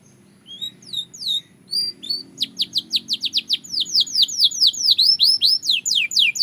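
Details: Singing Belgian canary starting softly with scattered slurred notes, then a steady rising-volume sequence of sharp high down-slurred chirps, about two to three per second, growing denser toward the end.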